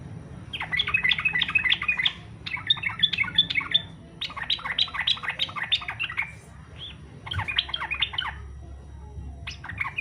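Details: Yellow-vented bulbul in fighter style, a song meant to draw other bulbuls into singing: repeated quick bursts of sharp, tumbling chirps separated by short pauses, fairly loud against a steady low background hum.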